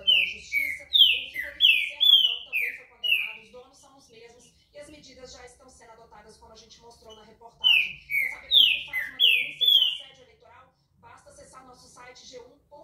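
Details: Green-winged saltator (pixarro, trinca-ferro) singing two bursts of strong, clear whistled notes, most falling in pitch, about five seconds apart, with a Portuguese television newscast talking quietly in between.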